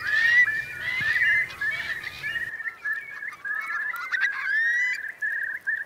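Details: Eurasian curlews at a crowded high-tide roost in Marquenterre's wet meadows, Bay of Somme, France, October 2021; continuous overlapping whistled and bubbling calls from many birds, with low rumble early on.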